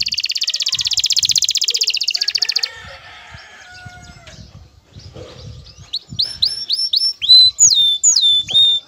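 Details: Excited male canary singing to call a female and prompt mating: a fast high buzzy trill for over two seconds, a quiet gap, then clear whistled upswept notes repeated in a run.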